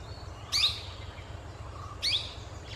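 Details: Vernal hanging parrot (Loriculus vernalis) near Madurai giving two sharp, high, buzzy notes, each slurring downward, about a second and a half apart, over a low steady hum.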